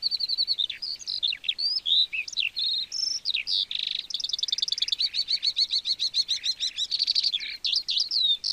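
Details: Lark of fields and meadows singing its continuous, cheerful song used for territory and attracting a mate; varied high whistles give way to long buzzy rapid trills, delivered without a break.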